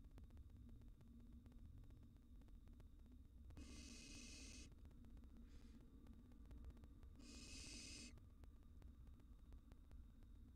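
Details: Wild barn owl nestlings in a nest box reacting to an intruding cockroach, giving two long rasping hisses of about a second each over a constant low hum.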